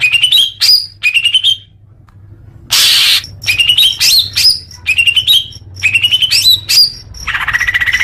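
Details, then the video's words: Leafbird song for calming newly caught young birds: short bursts of rising whistled notes separated by pauses, one harsh noisy burst midway, and a drawn-out buzzy note at the end. "suara kicau murai daun untuk terapi burung bakalan"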